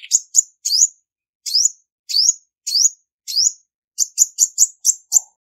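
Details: Olive-backed sunbird female singing to provoke males, a clean recording: upswept thin chirps spaced roughly every half second, then a quick burst of short high notes closely repeated.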